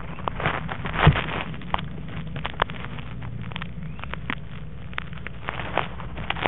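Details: Low rumbling engine-like noise runs throughout, broken by sharp crackles and clicks, with no animal call heard.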